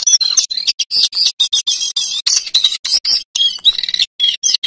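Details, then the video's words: A male lesser shortwing sings a rapid, high-pitched rush of thin twittering and whistled notes in short bursts with brief pauses between them. "Suara Jongkangan Coklat Jantan"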